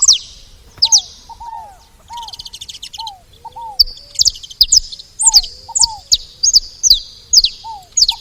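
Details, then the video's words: At a feeder, saffron finches give quick high chirps in irregular clusters after a quieter start, while lower downslurred two-note whistles and faint cooing sound beneath. "Canário da terra fazendo barulho na seva"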